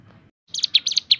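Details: Javan sunbird singing in the shooting-variation style: after a short quiet gap, a quick burst of high, sharp chirping notes begins and keeps going to the end.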